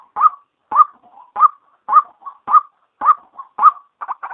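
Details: Loud, rough notes from a female white-breasted waterhen, used by day to attract waterhens. The notes fall into a regular beat, with softer short notes between them and a quick stuttering cluster at the end.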